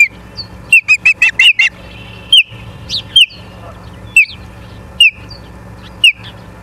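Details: Ospreys at a nest in Charlo, Montana, on 3 September 2023 at 18:54: a series of sharp, high whistled chirps, rapid at first, then about one per second.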